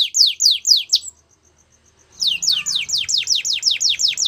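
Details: A Belgian canary sings three drooping notes, pauses with faint ticking, then delivers a steady run of rapid repeated downward-sweeping whistles.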